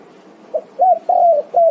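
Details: Spotted dove (tekukur) calling to its companions: four soft, low hooted coos, a brief faint note, then a longer drawn-out coo that slides gently downward, ending in a short coo; quiet background.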